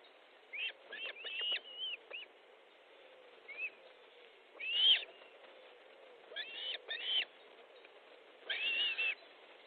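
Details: Osprey at its nest in Estonia on 13 July 2014 at 19:30, calling during a fish delivery: bursts of shrill, whistled chirps, some rising then falling, come in clusters every one to two seconds with quiet gaps between.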